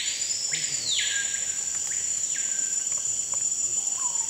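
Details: Screaming piha (Lipaugus vociferans) in Amazon rainforest near Manaus, Amazonas, Brazil, giving loud, ringing whistles that swoop upward then drop sharply, over a steady high insect drone throughout.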